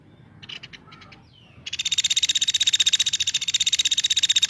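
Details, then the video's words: A woodpecker gives a few brief scattered chips, then a long, fast, harsh chattering rattle of high buzzy notes. "caladi gacor"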